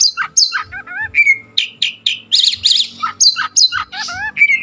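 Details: Oriental magpie-robin (kacer) singing a varied run of loud whistled phrases: sweeping slurs, rising and falling notes, a flat held whistle and paired wavy trills, with short pauses between phrases.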